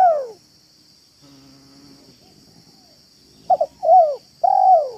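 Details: A spotted dove, a trained luring bird cooing in a yard, gives soft, low, hollow coos in a quick run of three or four notes, with a steady high insect whine throughout.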